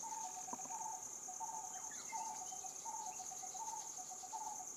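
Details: Coppersmith barbet calling: low, hollow paired notes repeated roughly every second at a steady mid pitch, over a constant high, shrill insect drone and a few faint bird chirps.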